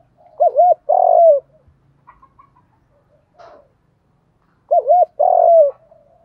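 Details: Spotted dove used as a lure bird to challenge rival males, repeating a phrase twice: a wavering double coo then a longer falling coo, with faint soft knocks and rustles between phrases.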